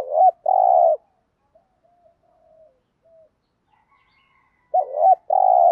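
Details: Decoy spotted dove giving the urging 'gù thúc' coo used to provoke wild birds: a short note then a long, throaty coo, a quiet pause with soft faint notes, then the same two-part coo returns.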